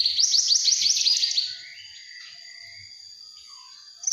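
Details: Juvenile Javan bush lark singing a brief burst of rapid, high buzzy trilled notes for about a second and a half, then near-silence with a faint steady high tone.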